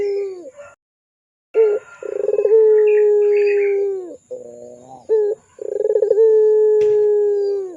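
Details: Tutor lure of a pelung-style Barbary dove for young doves: two long, level, mellow coos, each opened by a rapid rolling stutter, separated by soft wavering notes and a brief rising hoot.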